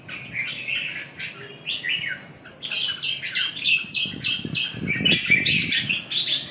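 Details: Red-whiskered bulbul giving fast chattering song, a string of quick clipped notes in steady rapid series, then higher bright flourishes near the end, over low background rumble.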